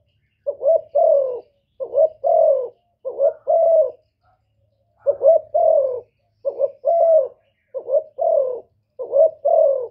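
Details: Spotted dove giving a provoking coo toward males: paired soft notes then a longer mellow hoot, repeated in a steady sequence with one brief gap, in a quiet setting.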